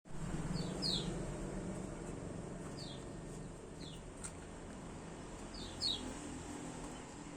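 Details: White-eye (kecial) giving short, sharp downslurred chirps, often in quick pairs, scattered across several seconds over a steady low rumble and hiss of background noise.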